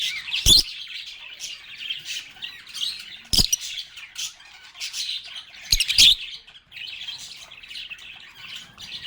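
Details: Several lovebirds chatting and singing with one another: a continuous wash of shrill, twittering chirps with three sudden sharp knocks spaced a few seconds apart.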